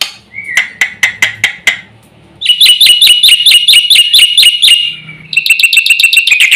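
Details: Javan pied starling in full song, said to provoke other birds; loud series of sharp repeated chips, then fast buzzy rattling notes with ringing metallic tones, repeated rapidly in bursts.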